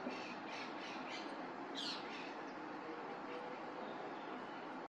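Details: Several chalk-browed mockingbirds give harsh, raspy warning squawks in short bursts because a Harris's hawk is in the neighbourhood, spring in Uruguay; steady broadband background hiss.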